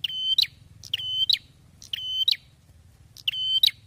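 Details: Loud, persistent Bar-winged prinia song: four quick high phrases, each a level piercing whistle closed by a sharp upward flick, delivered in under four seconds over faint low noise.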